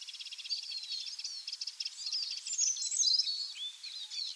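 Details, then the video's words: Common linnet singing: a quick twittering stream of high, thin chirps and short warbled trills, some notes sliding up and down, with no other clear sounds. "The Linnet Song"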